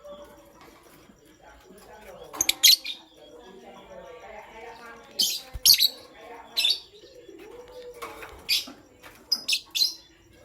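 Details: Pastel gray and green lovebirds in the morning giving loud, shrill, harsh chirps in short bursts, in pairs and clusters spread across the recording, with quiet low chatter between them.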